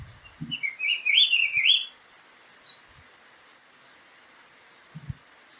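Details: Green-winged saltator singing free in nature in Prados, Minas Gerais, Brazil: one rich, warbled whistled phrase lasting under a second, wavering up and down, then quiet with faint background hiss and a few soft knocks.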